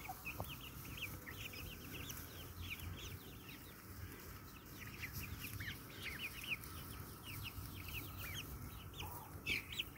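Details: Chirps from a flock of pet Brahma breed hens and roosters: dense, high, brief hooked notes, many in quick succession and overlapping throughout, set against steady low background noise.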